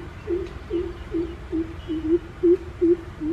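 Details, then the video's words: Greater coucal, also known as crow pheasant: a steady series of eight deep, hollow booming notes on one low pitch, evenly spaced at roughly two and a half per second, with little else audible. "Greater coucal aka Crow pheasant"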